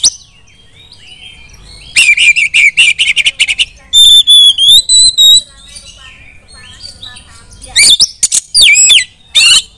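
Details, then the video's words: Female Oriental magpie-robin calling its kind to join in song: a rapid chattering run, then a series of long steady ringing whistles, followed by sharp swooping notes and chips. "memanggil KACER lain agar ikut GACOR dan NJERIT // KACER BETINA"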